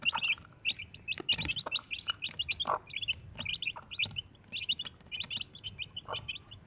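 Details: A mother Desi hen's four chicks give bright, high, bouncing peeps in quick clusters, separated by brief pauses, with a few soft thuds.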